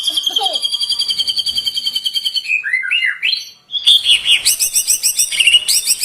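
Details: White-rumped shama delivering a full-material song to attract other shamas: a fast, evenly pulsed buzzy trill lasting over two seconds, some lower slurred whistles, then loud chattering high notes and rattles.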